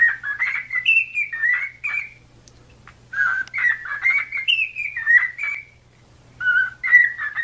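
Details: Singing cockatiel, played to teach a pet cockatiel to sing: chattering runs of short whistled notes that rise and fall, in two bursts separated by a quiet stretch, with a soft hum beneath.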